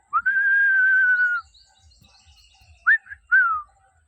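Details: Pet common hill myna with its owner calling it back; one long steady whistle held over a second, silence, then two short sharp whistled notes, the last sliding down.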